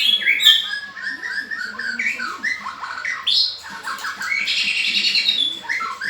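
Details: White-rumped shama singing energetically: a rich, varied stream of whistles, chattering notes and harsh squawky phrases, with quick changes in pitch and a loud burst of buzzy notes near the end.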